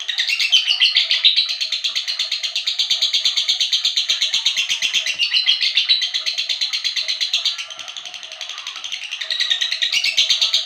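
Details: Lovebird in energetic full song: a fast, continuous stream of harsh, high chattering notes, about three per second, pulsing steadily for the whole stretch with brief dips in intensity.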